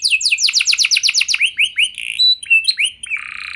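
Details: Canary lure song played to make canaries sing; a quick descending trill of high notes, then slower separate whistled slurs and a buzzy sustained ending.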